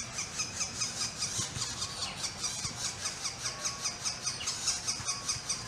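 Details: Northern flicker nestlings sparring, one chick attacking its sibling after the sibling got most of the food, give harsh, buzzy, hissing begging calls in a steady pulsing chorus, two or three bursts a second, with a faint low rumble.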